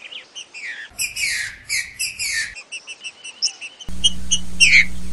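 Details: A trinca-ferro, green-winged saltator, gives the "60 boi" song meant for training young birds: rich, buzzy slurred phrases and clipped whistled notes, then a steady low hum under further notes.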